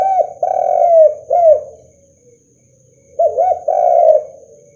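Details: Spotted dove (derkuku), a strong caller whose cooing is used to draw rival doves into calling. Two low phrases, each of short rounded notes and then a long, grainy, falling coo, separated by a quiet gap. A faint steady high tone is present.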